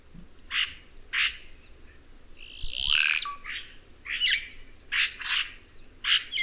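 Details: Red-rumped cacique (guaxe) singing: scratchy chattering notes, a long loud rasping burst with an upward sweep and short flat whistle, followed by a run of harsh clipped notes.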